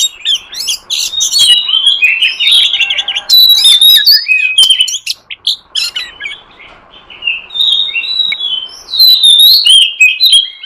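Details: Song of a wild forest oriental magpie-robin used to lure wild birds: varied, rapid whistles and slurred notes in loud bursts, with a quieter gap before the melodious phrases resume.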